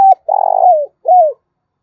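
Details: Decoy spotted dove calling to draw in other doves: a brief coo, a rolling, throaty note sliding downward, then a final soft falling coo, all low and mellow in a quiet setting.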